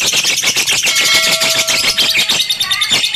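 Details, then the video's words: Pet lovebird giving a loud, harsh chattering song of rapid shrill squeaks and chirps, packed tightly together, with a few brief clearer whistled tones mixed into the busy high-pitched jumble. "KiCAU BURUNG LOVEBIRD"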